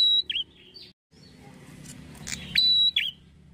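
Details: Brief red-headed prinia lure meant to make prinias answer quickly. A thin level whistle dips into a slurred note, then a pause and scratchy noise, before the whistle and slur return once more.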